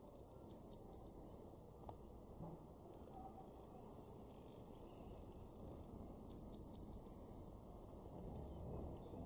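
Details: Eurasian blue tit, garden bird in Weener, East Frisia, Germany, March 2024, delivering two well-spaced phrases of high, glassy notes with a trilled ending, separated by about six seconds of quiet background.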